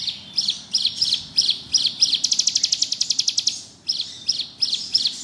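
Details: Active ngebrem singing by a bar-winged prinia: a series of high chirped notes spaced about three a second, then a fast rattling trill, then more spaced chirps.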